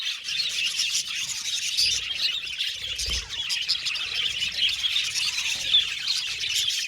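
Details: Constant high chirping and scratchy warbles from a group of budgies, a few sharp whistled notes rising above the chatter, and a soft low thump partway through.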